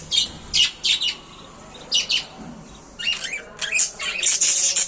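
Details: A small colony of budgerigars chatter in bursts of high, scratchy chirps and squawks, several birds calling over one another.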